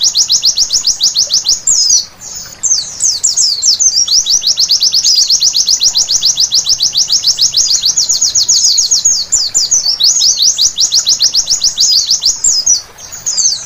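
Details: A white-eye sings at night, a long, rapid, high-pitched twittering stream of thin chirps, barely pausing, with a brief break near two seconds.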